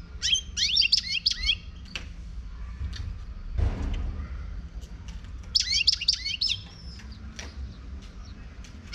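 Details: Song of a wild European goldfinch from Morocco: two rapid bursts of bright, liquid twittering trills, one at the start and one past the middle, separated by sparse chirps and a single dull thud.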